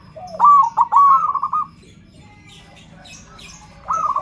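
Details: Zebra dove (perkutut) with a big voice, sung to prompt other perkutut, gives a long rolling stuttered coo, a pause, then begins another phrase; faint high bird chirps are audible.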